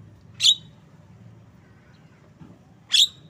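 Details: Two loud, grating chip notes from a Javan myna, separated by about two and a half seconds of quiet with a soft low murmur beneath.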